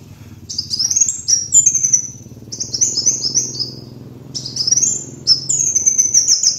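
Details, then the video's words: Van Hasselt's sunbird lure recording: three separate bursts of fast, very high, thin notes, each sliding slightly downward and lasting about a second. Between them comes a low mechanical hum. "MASTERAN PIKAT BURUNG KOLIBRI WULUNG"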